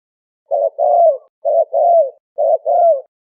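A dove coos in low, soft paired phrases: a short note, then a longer falling coo, about once a second, with no other sounds.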